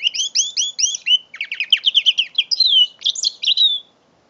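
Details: Mule canary aged five months singing, captured on an Android phone on 21 November 2011: four repeated two-note chirps open into a fast rattling trill, then sliding whistles and sweeping notes, and the song ends before four seconds.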